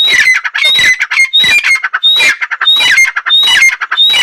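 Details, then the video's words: A female painted francolin (dakhni teetar) gives loud, harsh, grating squawks in rapid bursts, roughly one every two-thirds of a second, with thin high whistled notes threaded through. "female dakhni teetar sound"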